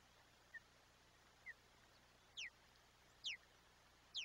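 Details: Wild osprey on a Chesapeake Bay nest camera, 22 July 2021, at breakfast time with a big fish delivered for the young bird. Two soft short notes, then louder downward-sweeping whistled chirps in quick succession against faint background noise.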